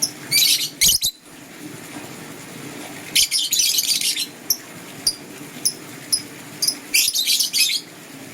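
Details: Green and blue lovebirds in the morning: dense scratchy high chirping runs at start and end, with single short squeaks repeated about twice a second in between.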